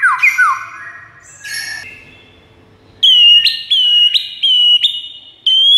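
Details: White-rumped shama master song played to lure rival shamas: descending slurred whistles and a buzzy burst first, then a quieter pause and evenly repeated sharp-onset whistled notes.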